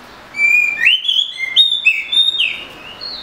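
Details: Oriental magpie-robin song of clear, sweet whistled notes, some sliding upward, strung together in a varied three-second phrase with a higher note at the end.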